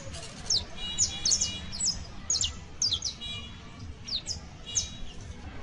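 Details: [['Saffron finch song: loud, piercing downslurred chips in short clusters, about two per second, over a low noisy background.']]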